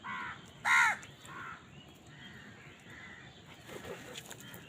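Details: One loud, rasping crow caw during feeding, preceded by a fainter call and followed by quieter, distant caws against soft outdoor background noise.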